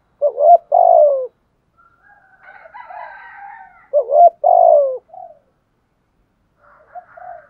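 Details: Spotted dove kept as a decoy, giving 'thúc gù' cooing meant to provoke wild doves: two loud phrases of deep hooting coos, a quick rising lead-in then a drawn-out sliding note, with quieter twittering sounds between them.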